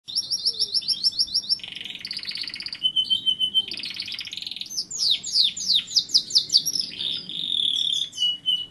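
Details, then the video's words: A canary sings a long, varied song of rapid trills, buzzy rolls and sweeping high whistles, changing phrase every second or two. "canary singing = canario cantando"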